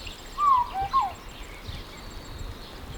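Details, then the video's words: São Tomé Oriole (Oriolus crassirostris) giving a brief fluty phrase of three mellow, slurred whistles, the last dipping down, over faint background hiss. "Sao Tome Oriole (Oriolus crassirostris)"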